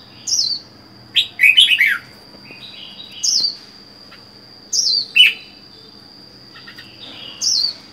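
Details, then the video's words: Caged red-whiskered bulbul kept alone, wild-caught and four months in the cage: short whistled phrases sliding downward, with a chattering burst near two seconds, repeated about every two seconds over a steady thin high-pitched tone. "Chào mào một mình một nhà có thể căng được không?"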